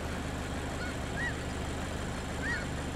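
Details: Snow Geese and Aleutian Cackling Geese at the Beckwith Observational Platform, San Joaquin River National Wildlife Refuge, southwest of Modesto, California, on 2 February 2024; two brief, high, arched honks about a second apart over a steady low rumble.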